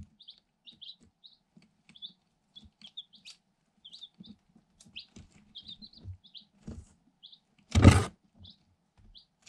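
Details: Eight energetic day-old Light Sussex chicks from an incubator, inside a cardboard box, recorded through a hole on a GoPro Hero 7 Black: steady soft high peeping, short rising notes throughout, one loud thump near the end.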